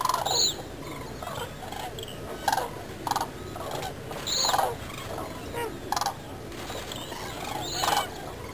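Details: Demoiselle cranes (Grus virgo) at Agamon Hula, Israel, on 12 March 2010 give harsh, rolling trumpeting calls in short bursts every one to two seconds, over a steady background hiss.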